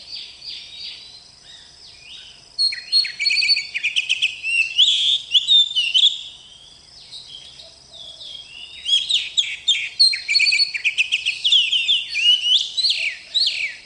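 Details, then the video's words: Oriental magpie-robin, a kept bird, singing a long, varied stream of sweet whistles, chirps and quick trills, high and rich, with a quieter pause midway before the lively song resumes. "Kacer Gacor"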